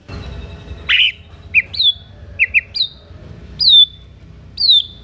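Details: White-rumped shama singing to provoke other shamas into answering and fighting: a harsh buzzy note, then short chirps and clear downslurred whistles repeated about once a second with quiet gaps.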